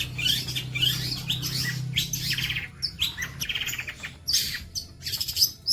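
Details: Long-tailed shrike singing in the bolo panjang style as tutoring material for other birds: varied phrases of buzzy chatter and quick high whistles with short pauses between, over a low droning hum early on.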